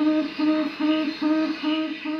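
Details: Tawny Frogmouth recording made in Australia and played back loudly indoors in a studio west of Brisbane: a low, soft, humming 'oom' repeated steadily, about two to three notes per second; heard more quietly in reality around houses.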